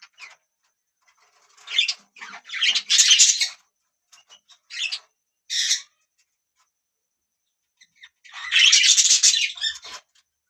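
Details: Budgie parrots chirping in bursts: scratchy, warbling chatter and short harsh chirps separated by silent gaps, loudest near the start and end.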